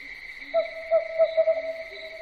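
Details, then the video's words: An owl at night calls a quickening series of soft hoots, five or six notes running closer together, with faint low tones and a steady shrill background whine. "SUARA BURUNG HANTU MALAM HARI"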